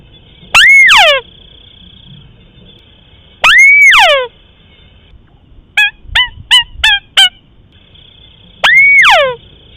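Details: Lure recording of a rice-field crake: swooping whistled calls that rise, hold, then fall steeply. They come roughly every three seconds, with a brief run of five short clipped notes in the middle. A faint steady high tone continues throughout.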